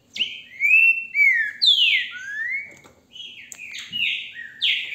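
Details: Captive green-winged saltator kept by a registered breeder in Brazil, recorded on a handheld mobile phone: loud, clear whistled phrases of sliding and falling notes, some rising, given in quick bursts with short gaps.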